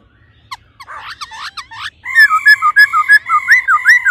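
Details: Female laughingthrush stimulating the male with a ro ro call: soft scratchy chatter first, then loud rhythmic wavering harmonic notes repeated about three times per second.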